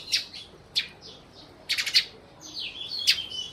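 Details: Close sparrows in Burma giving loud, sharp chirps, single notes then a rapid run of three or four, followed by quick downslurred calls over a quiet background.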